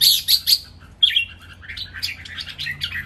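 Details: Red-whiskered bulbuls kept in cages, three rival birds, sing a lively training song with counted phrases. It opens with three loud, sharp, bright notes, then a whistled slur and a fast run of fainter chattering notes.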